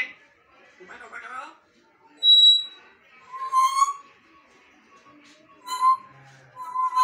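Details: A grey parrot from a bonded pair mimics speech with a few garbled word-like phrases, broken by a pure whistle and sharp squeaky notes, in a small quiet room.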